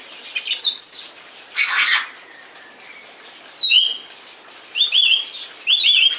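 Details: Singing song thrush delivering a sharp high phrase that comes back three times at roughly one-second gaps, after a burst of rougher, scratchy notes.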